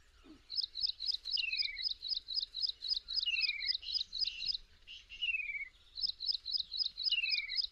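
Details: A Slender-billed babbler in the tall grassland of Kaziranga National Park, Assam, India gives rapid, high chattering notes, about four a second, broken by downward-slurred whistles, over a faint background hiss.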